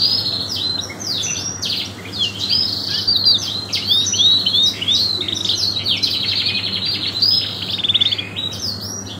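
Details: Canary singing a long 'cengkok mewah' style song used as a tutor recording for songbirds: a continuous high twittering of rapid trills, quick upslurred and downslurred whistles and rattles over a steady low electrical hum.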